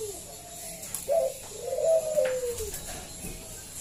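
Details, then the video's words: Local zebra dove cooing to entice other doves to call, a brief low note then a longer slurred coo falling in pitch, quieter and partly masked by background hiss and clicks. "Pancingan Perkutut lokal SUARA BESAR"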